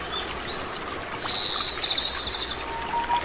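Oriental greenfinch gives a high, buzzy, slightly falling note, then a quick run of twittering chips, over steady background noise like running water.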